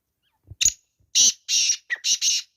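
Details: Grey francolins fighting give five harsh, raspy squawks in quick succession over two seconds, each short and noisy rather than whistled.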